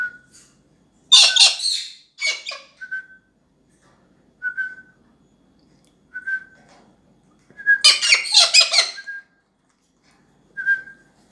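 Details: A hand-fed Galah cockatoo about two and a half months old gives harsh, raspy screeches in two bursts several seconds apart, with short, clear mid-pitched whistles in the quiet gaps between them.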